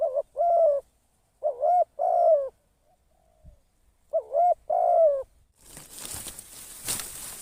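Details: Decoy spotted dove used for trapping, calling in the 'kharom' style. Three soft, throaty coo phrases, each a brief note followed by a drawn-out descending coo, then a burst of rustling, hissing noise at the end.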